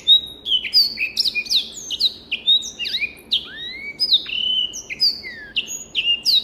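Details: Masteran song of a black-throated canary from a private collection: a rapid medley of high chirps and sliding whistles, including a long clear rising note, delivered without pause.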